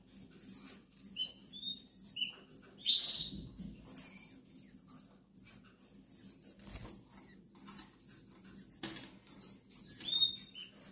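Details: Hungry goldfinch nestlings in the Canary Islands beg with high, thin, rapid chirps, many voices overlapping in dense bursts, with a brief lower whistled note near the start and a faint low hum underneath.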